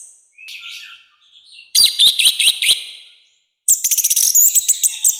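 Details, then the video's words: Orange-headed thrush in loud, harsh song, used for training and provoking birds. Soft high notes lead into a strong burst of quick clicking, warbled phrases, then a pause and a run of rapid repeated chips. "ANIS MERAH GACOR NGEPLONG, SUARA KASAR KERAS"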